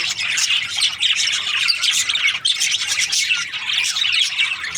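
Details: Breeding-season budgerigars in a busy group, giving rapid high chirps, squeaky warbles and short rasping notes that overlap constantly with no breaks.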